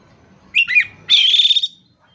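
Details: Oriental magpie-robin master song: a quick pair of bright twisting whistles, then a loud harsh buzzy phrase lasting about half a second.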